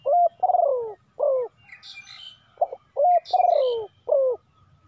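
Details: Decoy spotted dove calling wild doves, repeating a phrase of a short coo, a long rough note sliding downward and a shorter falling coo, twice over, with distant small-bird chirps.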